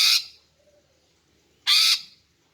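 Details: Greater green leafbird female, calling to lure males: two loud, harsh, scratchy notes about one and a half seconds apart, with near silence between them.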